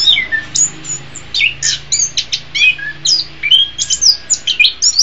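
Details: Orange-headed thrush song, offered as a master recording for training songbirds: a rapid, varied stream of sharp high whistles, downslurred notes and short trills, about two phrases per second, with a faint low hum beneath.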